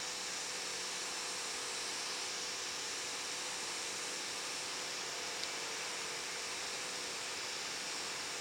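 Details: Only a steady broadband hiss with a faint low hum and one tiny click is heard, with no animal calls.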